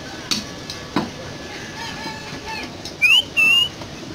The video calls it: শালিক পাখির সুন্দর শিস বাজানো